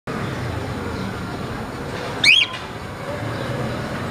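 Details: A male cream talking cockatiel, which mimics sounds, whistles and myna voices, gives a single brief, bright whistle that sweeps up and down over a steady hiss.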